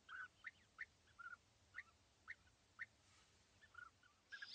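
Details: European bee-eater pair perched in small trees at East Leake Quarry, 80 metres off, on a very sunny July 2017 morning. Short rolling call notes spaced roughly every half second, each clipped and throaty, with a louder pair at the end.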